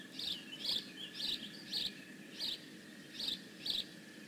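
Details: Bald eagle calling at the nest at Decorah North on 15 May 2017: a series of about eight high, thin chirps, roughly two per second, over a faint steady hum and low background noise.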